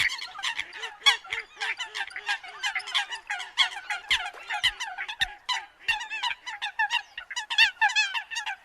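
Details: Eurasian coots in migration season: a dense, nonstop chorus of harsh, nasal, clipped calls from many birds overlapping, with a row of softer low honking notes in the first two seconds.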